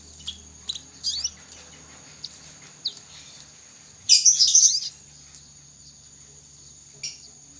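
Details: A young canary practising its song (ngriwik): scattered soft chips, then one short burst of rapid scratchy twittering, followed by quiet, against a steady thin high tone.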